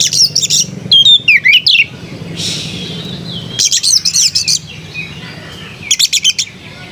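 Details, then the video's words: Oriental magpie-robin song, melodious: twisting swooping whistles, then groups of rapid scratchy trilled notes repeated at intervals of about two seconds. "Burung kacer bersuara merdu"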